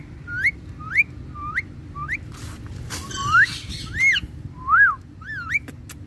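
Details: Pet green ringneck parakeet from India, called a talking parrot, whistling short rising notes about once a second, some curving up then down, over a low background hum.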